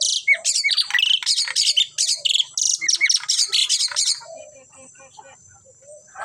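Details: A singing pair of Asian pied starlings, four seconds of loud, rapid harsh chattering mixed with whistled notes, then quieter scattered squeaks and low notes as the bout dies away.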